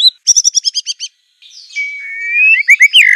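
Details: An Aceh white-rumped shama singing as a tutor recording: a quick run of eight bright chipping notes, a scratchy buzz, then a long rising whistle and loud, rich whistled notes.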